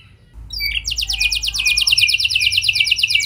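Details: Canary song used as a 'pancingan' lure to get other canaries singing and rolling: after a brief quiet start, a rapid, high, steady run of repeated chirping notes, roughly eleven per second.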